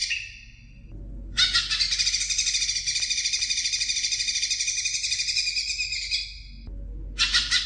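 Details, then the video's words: Greater green leafbird singing to stimulate young birds: a short buzzy burst, then a long unbroken stream of fast, grating, high chatter lasting about five seconds, then a fresh burst after a brief pause. "CUCAK IJO BIKIN JUNIOR NGETOP GACOR NGEPLONG"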